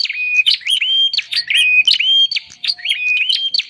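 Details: Bar-winged prinia lure call used to draw in wild birds: rapid runs of bright, whistled notes, some flat and some sharply bending, mixed with sharp dry clicks, repeating in quick, busy phrases.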